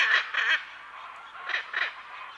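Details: A pair of Hyacinth macaws in the Pantanal give four loud, harsh, grating squawks in two quick pairs about a second apart, with other parrots and birds faintly behind.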